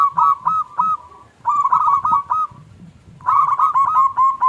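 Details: Local zebra dove with a small 'klung' voice, used to provoke other doves into singing. Three bursts of rapid, clear coo notes are separated by short pauses.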